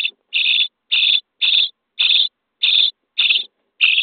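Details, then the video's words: Begging of starling chicks in their nest box, day 23, at feeding time: eight evenly spaced, hoarse, buzzy rasps, each about a third of a second, repeated roughly twice per second. "Szpaki w budce dzień 23 - karmienie piskląt"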